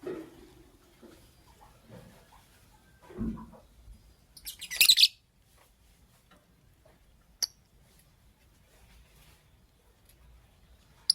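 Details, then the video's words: Pet lovebirds, a green Fischeri and a pastel blue, heard in the morning: one loud, harsh, shrill chirp in a half-second burst midway, then a few sharp clicks in an otherwise quiet room. "Lovebird Chirping Sounds"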